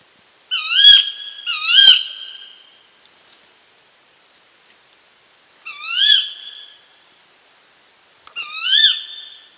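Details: Shrill, high song of a female Tawny Owl, reminiscent of the Little Owl: four harsh, rising-then-falling screeches. The first two come close together, then there are longer gaps before the last two, with quiet between calls.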